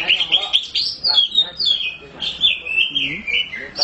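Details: Black Oriental magpie-robin, kept in a cage and singing persistently: a stream of sweet, bright whistles that rise and fall in short linked phrases, nearly a note every second, with faint talk in the background.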